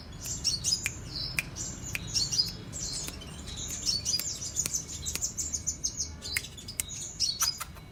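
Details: Active song of a sunbird called kolibri raja or king konin, cetrekan style: continuous high, thin, buzzy twittering phrases with scattered sharp clicks over a faint low hum.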